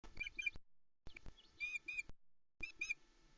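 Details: Osprey at a Loch Arkaig nest (Arkaig Community Forest), 14 Jun 2020, morning: female gives three bursts of high, squeaky whistled chirps of excitement as the male delivers a large trout, with clicks and low wind rumble underneath.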